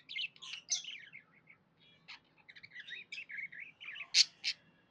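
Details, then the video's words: Pet budgerigar chirping happily: quick bursts of warbled, scratchy chirps and tweets in short runs, with brief pauses and a couple of sharper, louder notes near the end. "Happy budgie chirping sounds"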